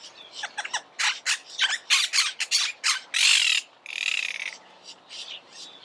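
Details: Monk parakeet (Myiopsitta monachus) delivering rapid grating squawks that build into two long, drawn-out rasping screeches, then fade into softer calls.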